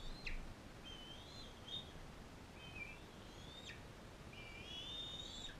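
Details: Captive bald eagle setting, a non-releasable adult female fostering an eaglet from Powell River: a string of thin, high whistled calls, some sliding upward, each cut off with a quick downward flick, against faint background noise.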